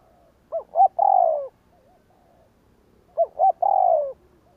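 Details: Spotted dove 'gù kích' coo for luring a response from wild doves: two phrases about two and a half seconds apart, two brief notes followed by a long gliding-down coo, faint soft coos in the background.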